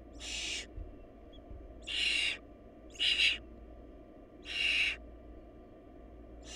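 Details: Barn owl nestlings in a family short of food, where the smallest chick died and was fed to its older siblings. Harsh, breathy hissing screeches about half a second long come roughly once a second, five bursts, over a low steady hum.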